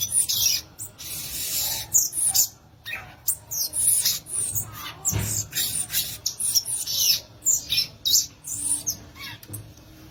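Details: Violaceous euphonia pouring out a long, busy stream of high, hissy chatter, sharp chips and squeaks, delivered in fast irregular bursts.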